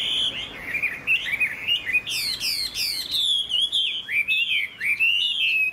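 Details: A caged Chinese hwamei sings under dark, overcast weather, a loud, rich run of varied whistles, slurred rising and falling notes and sharp downsweeps, delivered rapidly without pause.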